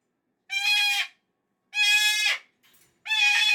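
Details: Unhappy pet cockatoo on a Monday morning, upset the weekend has ended, gives three raucous, drawn-out screeches in fairly quick succession, broad and grating, with a small quieter squawk between the last two.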